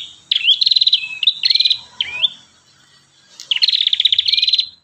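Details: Vigorous song from an Ashy tailorbird. Whistled upsweeps alternate with fast, evenly pulsed trills, and a second run of rattling trill follows after a brief silence.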